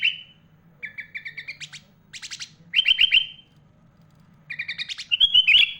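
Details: Sooty-headed bulbul in mimicry-rich song including phrases of other birds such as magpie-robin, used to tutor young and adult bulbuls: a whistle, a quick chirp series, buzzy rattles, loud repeated slurred notes, a pause, then rising chirps and a twisting whistle.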